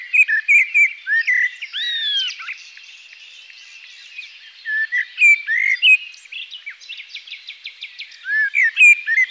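A thrush sings varied, clear whistled phrases with quick slurred notes and trills, pauses for a couple of seconds, then resumes. A faint high hiss of insects runs underneath.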